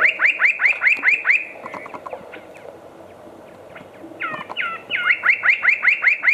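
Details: Spot-breasted parrotbill at Walong, Arunachal Pradesh, northeast India: rapid series of clear, downward-slurred notes, about two to three per second, breaking off midway and then resuming with a few rising notes.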